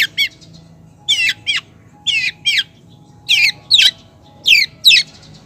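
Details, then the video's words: Long-tailed shrike female calling a male, giving harsh, downslurred, rasping notes in pairs roughly once a second with short pauses between, against quiet background. "cendet betina gacor manggil cendet jantan"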